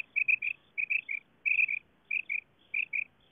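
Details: Female quail call used as a lure for quail hunting with nets in Pakistan: short paired and tripled chirping notes, clear and high, in groups repeated about every 0.6 seconds over a quiet background.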